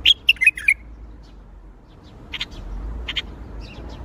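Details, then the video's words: Bulbul singing in the Baghdadi style: a quick burst of four bright chirping notes at the start, then softer scattered notes over a faint hum. "تغريد بلبل طور بغدادي"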